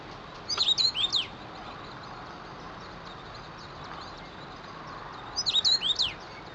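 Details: Common rosefinch (Carpodacus erythrinus) singing two short, clear whistled phrases about five seconds apart, each a quick run of slurred notes, over a soft steady background hiss.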